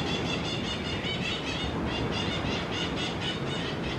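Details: Crimson-fronted parakeets keep up a continuous, pulsing chatter of grating, squealing notes, several each second, against a steady low background rumble.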